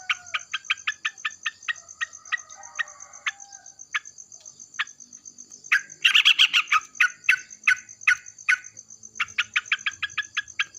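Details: Yellow-vented bulbul in the morning answering another bulbul: sharp, clipped notes repeated at a quick steady pace, breaking into a dense noisy flurry midway, then resuming, under a continuous high-pitched whine.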